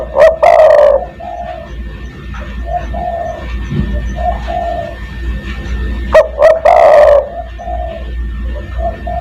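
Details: Spotted dove in 'kuk 1' style, calling other doves as a lure: two loud phrases about six seconds apart, each two short notes and a long rolling coo, with softer cooing in between.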